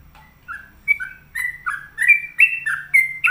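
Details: A lively trucuk (sooty-headed bulbul) delivers a chain of clear, bubbling whistles that jump between higher and lower notes, growing louder as the phrase goes on.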